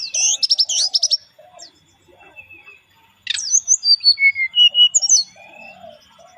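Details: Lively warbled burst, then near silence, then a buzzy rising note and a string of clear whistles at varying pitch: relaxed lure song of a brown-chested jungle flycatcher.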